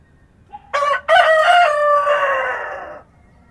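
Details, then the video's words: Dawn crow of a rooster on a rural farm: a faint soft note comes first, then a sharp short syllable and a stretched, raspy, gradually falling cock-a-doodle-doo lasting nearly two seconds, followed by stillness. "Rooster Crowing at Dawn"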